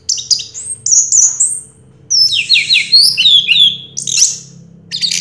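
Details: Orange-headed thrush, a 2022 singing-contest champion, sings a varied phrase of high whistles, downslurred swoops and sharp chips, with short pauses between bursts.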